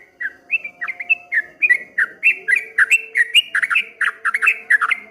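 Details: Streak-eared bulbul singing in the 'ropel ngombak banyu' style, a rapid run of short chirpy, slurred whistles dipping and rising, roughly four notes a second, over a faint steady low hum.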